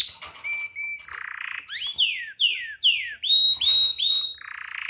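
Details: Canary song with varied phrases: short flat whistles, buzzy trills, then a run of loud descending slurred whistles repeated about twice a second, ending in another buzzy roll.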